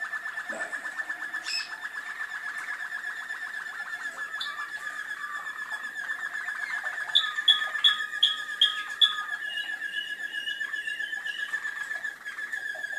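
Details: Malinois canary from Skopje singing indoors: a long steady trilled roll, then a run of bright, evenly spaced bubbling notes around seven seconds, returning to a buzzy trill near the end.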